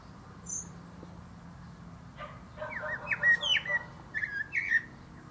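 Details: Common blackbird, a male, singing from the top of a plum tree. A quiet pause, then a mellow warbled phrase of several fluty notes that closes with a thin, high squeak. A faint steady hum runs underneath.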